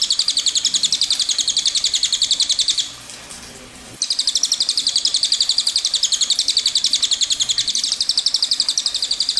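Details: Long rolling cililin song used as tutor material for songbirds: dense, high, rapidly pulsed trill lasting nearly three seconds, a one-second break, then an even longer continuous rolling trill.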